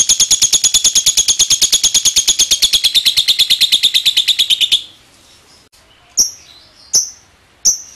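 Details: Lovebird long ngekek trill meant to lure other lovebirds into joining: fast, even, shrill rattling pulses for nearly five seconds, then the trill stops and a few sharp, separate high chips follow at intervals.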